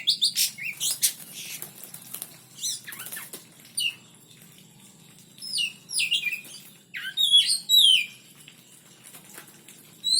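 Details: Caged oriental magpie-robin during pairing for breeding. Fluttering wingbeats and scattered high chirps open the recording, followed by short bursts of sweeping, whistled notes separated by quiet gaps.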